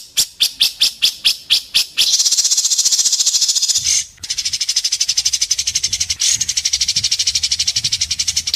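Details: Indonesian contest white-rumped shama with sharp besetan: eight loud separate notes, then a long continuous fast buzzing rattle at high pitch that dips briefly and resumes.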